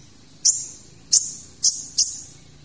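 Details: Kolibri ninja sunbird producing four piercing high notes, each a sharp attack trailing into a thin fading whistle, spaced about half a second apart.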